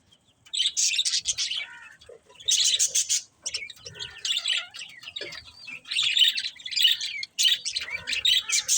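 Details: Several budgies chirp in lively bursts, high buzzy warbling phrases with brief silent gaps between them, the chatter rising and falling in loudness.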